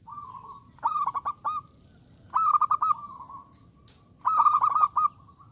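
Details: Zebra dove in full loud song, meant to invite rivals to answer: three phrases of rapid stuttering notes that run into a steady low hum, each phrase about two seconds apart, with faint background hiss.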